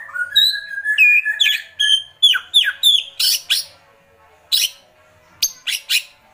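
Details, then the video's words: White-rumped shama, agitated, giving kretekan calls: clear whistled notes sliding between pitches, then harsh, buzzy rattling bursts repeated in quick clusters with short pauses, ending in spaced rasping bursts. "Kretekan Murai Batu Emosi"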